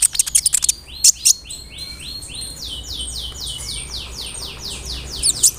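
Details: Brown-throated sunbird singing to provoke rivals: rapid high chirps open, then a long sequence of repeated downward-sliding thin whistles, ending with more sharp chips.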